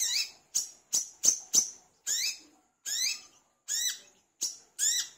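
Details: Energetic gacor singing of an olive-backed sunbird (wiceh or kolibri kelapa), used as a lure: a burst of rapid high ticks followed by sweeping, ringing notes with rising and falling slurs, spaced under a second apart.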